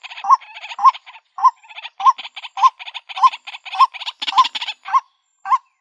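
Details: Mate-seeking call of a female white-breasted waterhen, with loud hooked notes roughly every half second alternating with quieter gravelly rattles, ending in a short pause and a final note.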